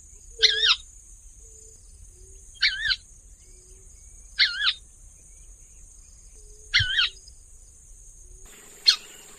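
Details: Wetland crake of floating plants and standing reeds, brown above and pale gray below with a black mask bordered by white stripes, giving raspy two-part kawa notes repeated about every two seconds over a steady high hiss.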